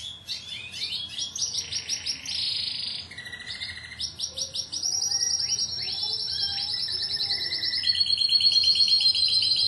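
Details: Timbrado canary of a Greek club team, 2009, with pulsed bursts of rapid notes, a low roll, then long steady high rolls and trills at shifting pitches.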